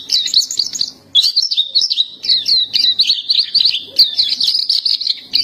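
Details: Pleci topi hitam, the black-capped white-eye, singing steadily in 'gacor' style. A fast, dense run of high chattering, wavering notes flows almost without a break after a short opening pause.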